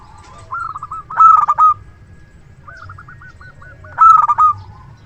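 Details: Loud-voiced local zebra dove kept as a luring decoy: two strong rolling coo phrases roughly three seconds apart, with gentle stuttering cooing notes between them.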